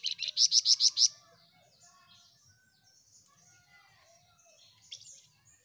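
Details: Flamboyan in vigorous song, six loud, evenly spaced high chirps in quick succession, followed by quiet background twittering and one faint note later.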